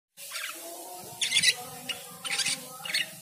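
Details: Cucak keling singing vigorously on hearing the call to prayer: bursts of bright, chattering high notes at irregular intervals over the steady drawn-out tones of the sung call to prayer.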